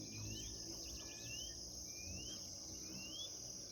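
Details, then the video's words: White-bellied seedeater (chorão) singing in the bush: four slurred whistles, each sliding upward in pitch, spaced roughly a second apart, over a steady high insect drone. "chorão chama cachorro cantando no mato"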